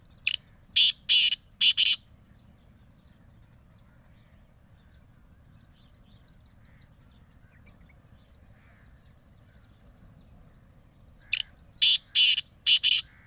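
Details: Bhakkar district black francolin: three harsh rasping notes, a long quiet gap of several seconds, then a second series of four grating calls.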